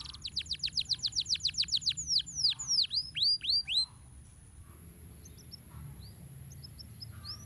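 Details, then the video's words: Canary master song used for training birds. A fast rolling series of sharp downslurred notes slows into broad swooping whistles, then the bird falls nearly silent with only faint soft chirps. "Masteran Kenari Gacor Ngeroll Nikmat"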